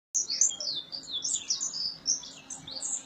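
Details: Early morning bird song near the Samunaber residence area around Gondar, Ethiopia, heard from a balcony in 2017: a rapid, high-pitched stream of thin chirps and twitters that continues without a break.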